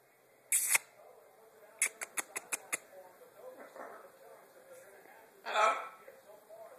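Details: A female blue-and-yellow macaw talking with its owner, who says hello and asks for a kiss. It imitates speech in a hoarse, nasal voice: a harsh squawk, a quick run of six clicks, then a raspy burst.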